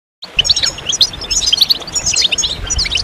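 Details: European goldfinches singing together, a group chorus meant to stimulate males to sing, with mating calls: high, bright tinkling twitters and quick chirps overlapping over soft low rumble.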